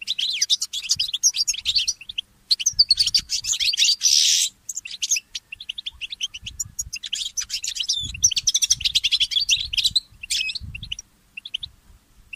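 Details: Goldfinch mule, a goldfinch hybrid, singing in the early morning, its song offered for training songbirds: rapid, high twittering and chattering trills in long dense bursts, with brief pauses near 2.5 and 11 seconds and a buzzy rush around 4 seconds.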